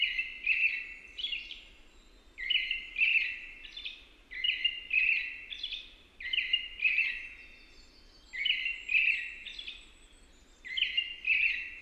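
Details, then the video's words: American robin song: a steady series of short caroled whistle phrases, about one every two seconds, in clusters of two or three, repeating evenly over a soft hiss. "American Robin singing"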